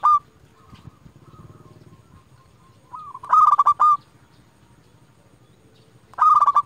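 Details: Prolific local zebra dove used to lure and provoke rival doves, delivering loud rolling coo bursts several seconds apart, with faint distant coos and low murmur in the gaps.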